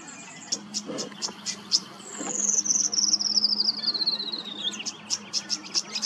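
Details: Queensland tawny grassbird giving crisp repeated ticks, then a fast, high reeling trill that descends over roughly two seconds before the ticking resumes; soft low hum in the background.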